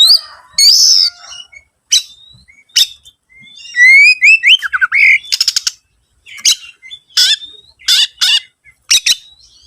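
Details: Oriental magpie-robin song used as a lure to make other birds sing: scattered whistled notes, a rising run of slurs, and repeated short harsh rasps and chips.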